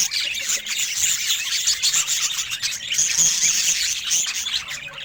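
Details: Happy-looking budgerigar; steady, busy warble of thin squeaks and chirps running continuously at an even level.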